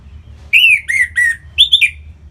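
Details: Orange-headed thrush, North Bali, singing to spur other birds into song: a series of loud, clear, downward-slurred whistles followed by higher, quicker warbled notes, with a quiet hum behind.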